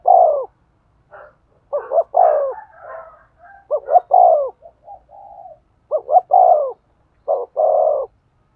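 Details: Spotted dove coo used to stimulate a male: low double notes and drawn coos, with a busier stretch of overlapping higher, softer cooing in the middle before clean phrases resume.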